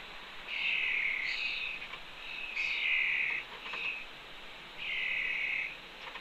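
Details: By the fledge ledge of a Cornell nest, a red-tailed hawk youngster keeps near its mother on a June 2013 afternoon, giving drawn-out raspy high cries, one or two per couple of seconds, separated by short gaps.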